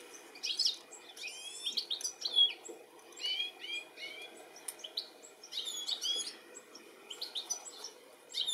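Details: Male European goldfinch calling while looking for its young, UK, 13 July 2017: rapid bursts of high, tinkling twitters and trilled chirps, rising and falling, repeated in clusters every second or two against a low steady hiss.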